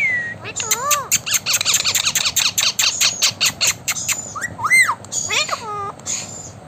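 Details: Blue Indian ringneck parakeet letting out a long, fast series of sharp clicking squawks, about two per second, then swooping whistled slides and a rasping burst, near the words "back off".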